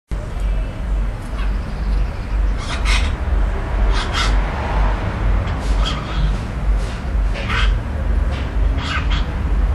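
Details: Young magpie vocalizing: short harsh, rasping bursts scattered irregularly over ten seconds, roughly two a second at times, over a steady low rumble of background noise.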